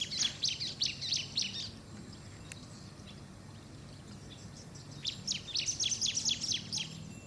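Bar-winged prinia giving two bursts of quick, high, chipping notes, each run lasting about two seconds, separated by a quiet pause over a steady low hum.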